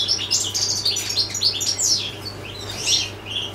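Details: European goldfinch delivering a dense, rapid stream of twittering, liquid and buzzy high notes with quick downward slurs, steady mains-like hum underneath.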